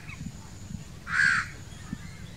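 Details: A single harsh, nasal caw lasting about a third of a second from a crow among young ones demanding food, set against a low background rumble.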